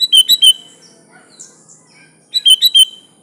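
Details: Sooty-headed bulbul singing lively gacor isian song: two fast phrases of four bright, warbled notes each, separated by about two seconds of near-silence with faint distant chirps.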